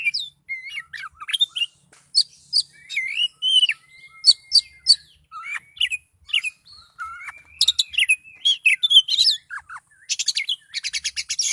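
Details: Highly agitated Oriental magpie-robin singing nonstop: rich slurred whistles, rising and falling notes and quick chips, ending in fast buzzy rattling trills.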